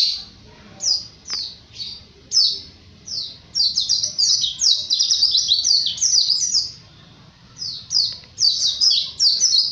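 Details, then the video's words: A white-eye sings a fast, high twittering song of thin, sweet notes, tumbling in quick bursts with short pauses between phrases. "SUARA BURUNG PLECI GACOR NGALAS"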